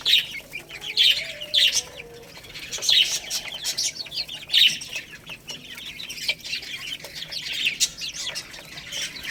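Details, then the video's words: Several chicks feeding on rice utter bright, high cheeps in loud bursts separated by quieter stretches of soft peeping and steady pecking clicks. "Cute Baby Chicks Eating Rice | Beautiful Chicks Chirping Sounds"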